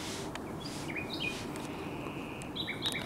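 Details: Nightingale song from 16 May 2023: scattered short whistles and slurred notes, quieter in the middle, with a brighter burst of overlapping whistled notes near the end, over faint background noise.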